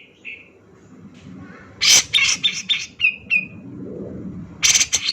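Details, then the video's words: Male Grey-cheeked Bulbul (cucak jenggot) in lure song, agitated and rapid, in a dense beset ngepik style: bursts of harsh, buzzy high chatter, a few short descending whistles, loud clusters near the start and end, faint low background rumble. "Pancingan Cucak Jenggot Gacor Ngegass Emosian Nembak Rapat"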